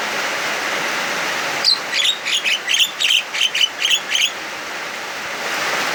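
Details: Javan myna singing agitatedly and loudly on an afternoon in heavy rain: a burst of about ten harsh, rasping notes with squeaky whistled overtones, repeated rapidly over roughly three seconds, over a steady hiss of pouring rain.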